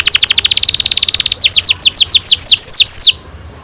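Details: Canary song with a long roll, used as a lure to get young canaries singing: a fast trill of rapid repeated notes, then slower descending whistled sweeps repeated about every quarter second, loud and clear.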